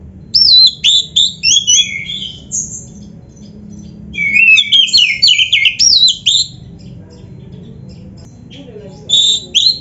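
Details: Song of a white-rumped shama, a varied 'full isian' master song for training other shamas: quick high whistles and twittering phrases in bursts, a long quiet gap, then a final short whistled phrase.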